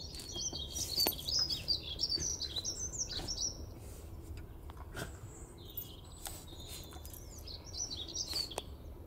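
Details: Dunnock singing at Dunfermline on 9 April 2020: two quick, high, jangling warbles, about three seconds and then one more, over a low rumble with a few sharp knocks in between.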